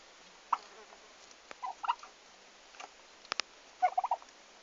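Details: A few brief, scratchy turkey calls from the farm's first birds on the day they arrived, 11 August 2015, ending in a quick stutter of four or five notes, with two sharp clicks just before.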